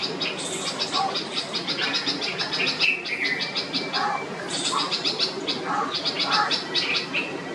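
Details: Red-vented bulbul mother alarming the neighbourhood as her chick, unable to fly, hops on the ground after leaving the nest for the first time; rapid bursts of sharp, high chattering notes, overlapping and repeated throughout.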